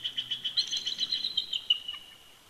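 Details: In winter at a Big Bear Lake, California nest, a bald eagle pair duets with a fast, high, squeaky chatter of pulsed piping notes that trails off after two seconds.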